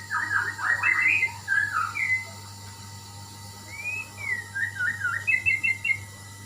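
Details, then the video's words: Murai (white-rumped shama) singing: a run of rich whistled phrases and warbles, some rising and some falling, then a pause and further whistles ending in quick trills, over a steady low hum. "burung muray , burung berkicau , burung bernyanyi"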